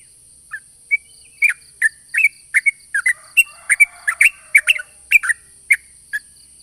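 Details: Lure song of a sooty-headed bulbul, meant to pull in other bulbuls: short bright whistled phrases of two or three notes, about two per second, uneven spacing, over a steady high hiss.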